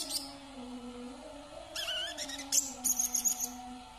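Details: [['From Kalimantan, a brown-throated sunbird sings quietly: a squeaky twitter, then a quick series of very high, tinkling notes, with a faint steady hum behind.']]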